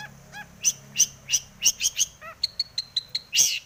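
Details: Energetic long-tailed shrike song full of imitated notes, used as a lure for other shrikes: harsh scratchy chirps, a soft falling downslurred whistle, then a fast series of thin piping notes and a loud rasp.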